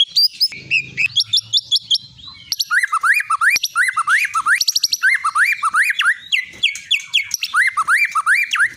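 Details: White-rumped shama of the long-tailed Medan type, a caged champion songbird, repeats sharp upswept whistles in steady series, mixed with rapid clicking trills and a fast rhythmic run of rising notes.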